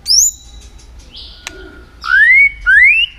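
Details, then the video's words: White-rumped shama trained to sing for contests, giving sparse pure whistles: a high rising note, a level tone, then two long upslurred whistles, with quiet gaps between. "luyện giọng chòe lửa hót kích chòe lửa nhanh căng lửa"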